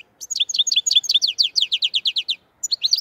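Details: Black-headed goldfinch singing, Andijan, Kuva and Fergana style. A brisk trill of sixteen or so evenly spaced bright chirps over two seconds, then a brief pause and a few more notes.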